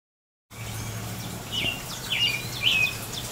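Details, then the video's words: American robin singing in the rain on April 22, 2018: after a silent start, three short slurred whistled phrases arrive about every half second, fairly faint over steady rain hiss and a low hum. "American Robin singing in the rain"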